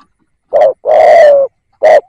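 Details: Spotted dove used as a decoy to provoke wild birds, giving a brief low coo, then a drawn-out hollow coo that sags at the end, before the next short coo begins.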